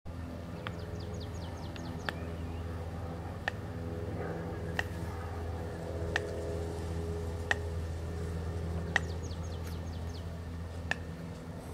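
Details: A Eurasian coot on the Aare river near Walliswil gives short, sharp clicking notes every second or two over a steady low rush of river water, with thin high chirps from a small bird.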